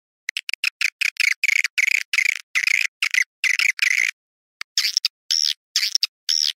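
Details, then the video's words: Swiftlet calling in the "Awan hitam" style: rasping, buzzy chirp bursts repeated about twice a second, then a pause followed by a few longer, arching whistled notes. "SUARA WALET Awan hitam"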